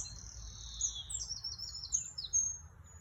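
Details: Bird song made of long, very high, thin whistles that glide downward, followed by a few shorter sharp piping notes, over a quiet low hum.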